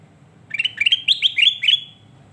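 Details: Song of a sooty-headed bulbul, meant as tutor recording: six quick, liquid whistled notes, each swooping up sharply and trailing off, delivered in about one and a half seconds against a soft low hum.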